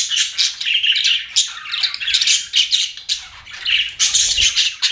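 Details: Pet budgies in a steady, squawky chatter of harsh chirps and warbled phrases, rising and falling in short bursts.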